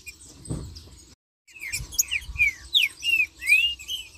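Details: Green-winged saltator in marcheando song, a lively chain of sharp descending whistles and an up-slurred note in quick succession, following a brief silence and a low knock.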